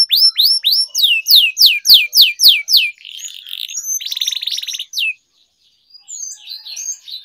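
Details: Canary singing for training, a kenari gacor with long rolling song: a run of loud descending whistled swoops repeated about four per second, then a buzzy rattling trill, a brief silence and scattered high chirps.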